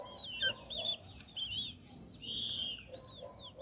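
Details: Great kiskadee family at a feeder set in an acerola tree, Brazil; harsh, squeaky overlapping calls with arched notes, a brief louder burst near the start, several birds calling together in a dense stream.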